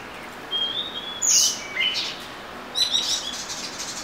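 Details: Oriental magpie-robin giving sparse song: a thin high whistle, a brief harsh burst, then a short cluster of rapid high twittering notes separated by quiet gaps.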